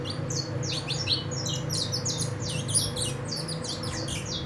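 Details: Four-month-old saffron finch going into its nest moult, keen to sing: a busy tangle of high, twisting chirps and squeaks over a steady low hum.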